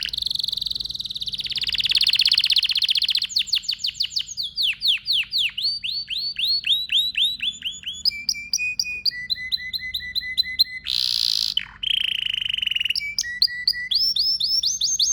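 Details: Singing male domestic canary, kept as a pet: long varied song with rapid buzzy trills, rolling tours of repeated notes, steady whistled phrases and a brief harsh burst, delivered continuously for about fifteen seconds.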